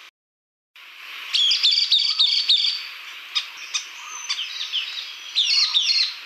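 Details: Sultan tit (Melanochlora sultanea) giving loud, sharp, high, piercing chattering notes in quick bursts with brief pauses between groups.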